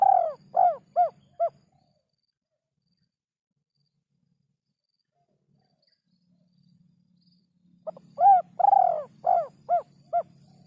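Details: Spotted dove (derkuku) song with a rare rhythm: a quick run of four arched coos, then about six seconds of near silence, then a longer series of rounded coos with one burry drawn-out note, over a low hum.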